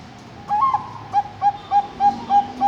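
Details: Zebra dove of the Bangkok line, bred on an East Javan bird farm: a short song with one rising coo, then six even, soft hollow notes near one pitch, about every third of a second, over faint background hum.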